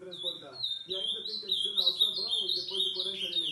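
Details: Late-night ultramarine grosbeak song, starting with one steady note and then breaking into rapid, jumpy, sweet warbled notes that step up and down, with a low male voice speaking in the background.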